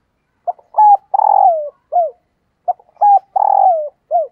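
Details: A female spotted dove gives her male-stimulating call twice: a clipped opening note, a level hooked coo, a long rattling note that droops at the end, and a falling final coo, with a silent gap between.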